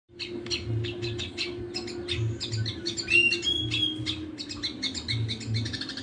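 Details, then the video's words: Grey-cheeked bulbul (cucak jenggot) in a fight with a sparrow, used for training songbirds: a busy jumble of sharp chirps, clipped notes and a few whistled slurs, with a low steady hum beneath. "Cucak jenggot vs gereja tarung"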